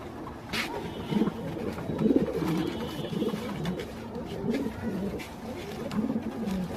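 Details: Fancy pigeons kept at a farm give low, soft rumbling coos in repeated bursts roughly once a second, over a steady background hum.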